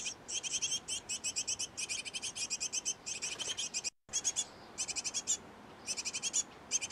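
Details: Great tits of a pair nesting in a nest box and busy feeding young give rapid, high, thin chittering notes in quick bursts of four to eight, repeated without pause apart from one brief break.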